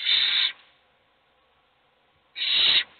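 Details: Owl chicks begging hungrily, only one of them being fed: two drawn-out, breathy screeching hisses, the second coming about two seconds after the first.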